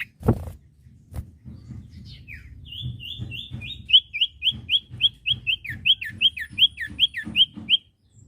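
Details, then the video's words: Common iora song used to train untrained captive birds to sing: a long series of clear, whistled, down-slurred notes, roughly three per second for five seconds, opening with a short rising note. Soft low thuds accompany the notes. "masteran burung cipoh bahan"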